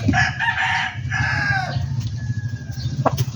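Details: Backyard poultry farm chicken crowing twice in quick succession, each crow loud, hoarse and harmonic-rich, over a constant low droning hum, then a faint thin whistle-like tone.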